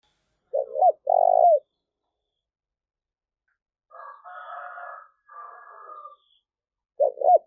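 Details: Spotted dove calling, played to lure wild doves: a short low coo, a quick double note, then a long trembling croo, heard twice, with a buzzy, harsher call and faint high whistles between phrases.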